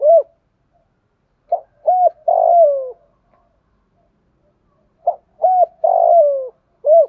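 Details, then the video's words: Spotted dove calling coos in thổ and thúc styles, meant for training decoy birds that coo too little: two phrases of a short clipped note, a brief coo and a long falling coo, about three seconds apart. "Tiếng chim cu gáy giọng thổ, giọng thúc + gáy gọi rất chuẩn để tập những con bổi lười gáy"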